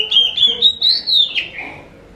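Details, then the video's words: Oriental magpie-robin, called kacer locally, song used as a lure so other magpie-robins answer: a single sustained whistled phrase near one pitch, gently rising then falling, ending in a lower slurred note. "Pancing burung Kacer anda dengan suara burung ini"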